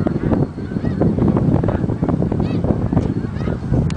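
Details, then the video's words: Canada geese flying as a flock, a dense chorus of overlapping honks with some clearer rising nasal notes standing out, steady loud calling over a low rumbling background. "Revoada de Gansos Canadenses"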